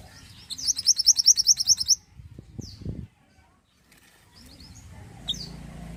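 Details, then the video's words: Mantenan, the pied triller, gives a fast, loud run of around a dozen bright repeated notes in under two seconds, then soft high chirps; low knocks and rustling sounds come between. "mantenan gacor"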